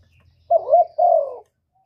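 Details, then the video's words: One spotted dove coo phrase, played as a trapping lure: a quick rising-falling two-part note followed by a longer, steady, slightly falling hollow coo, all low and mellow. "Tiếng cu gù cực chuẩn dùng đi bẩy, kích chim nhà hiệu quả"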